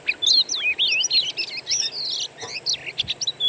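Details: Master recording of wild Oriental magpie-robin song for prompting a kept bird to sing: continuous tangled whistled twists and slurred phrases, lively and rich, with a few sharp chirps near the close.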